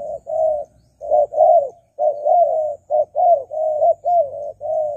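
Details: Spotted dove call used to lure wild doves: mellow low coos run close together with barely a pause, short and long notes mixed, one long coo slurring down, over a faint low rumble.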